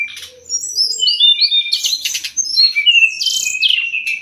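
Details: Sumatran leafbird singing as a master song for training songbirds, a quick run of sliding whistles, chirps and raspy bursts tumbling over one another in a high, continuous phrase.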